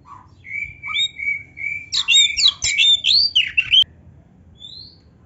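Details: Oriental magpie-robin in full rich song with varied fill-in phrases: a steady whistled note near the start, then a dense burst of fast, sweeping whistles and harsh chattering notes. A faint low hum runs underneath.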